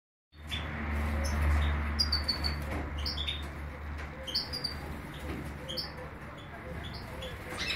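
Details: European goldfinch, called major goldfinch, recorded in Greece; short high twittering chirps and thin whistled notes scattered over about seven seconds, with a steady low hum and broadband background noise throughout.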